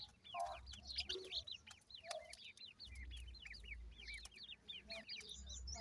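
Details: Repeated clear, high, falling chirps from several francolin chicks, evenly spaced in quick succession, over a low rumbling background and a few thuds.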